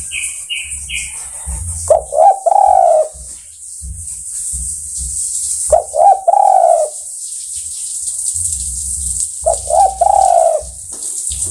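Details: Spotted dove (tekukur) calling to other birds: three hoarse cooing phrases about four seconds apart, each a couple of short stuttered notes then a long drawn coo; brief high chirps from another bird at the start, steady high hiss throughout.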